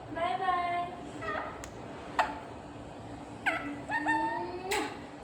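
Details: Talking parrot trying to say "Mummy": a series of whiny, harmonic, speech-like syllables, some drawn out and others clipped, spread over five seconds and broken by a few sharp clicks, with a steady low hum underneath.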